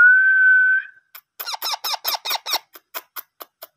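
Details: Hand-fed parrot chicks in a small room: a long, steady whistle, then a fast series of harsh, buzzy begging squawks that fade into softer clicking pulses.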